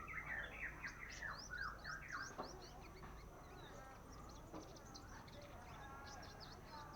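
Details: Young sunbird practising its song: a busy run of thin, high, downslurred notes tumbling over one another, over lower sliding whistles in the first two seconds, then sparser high chips with steady background hum.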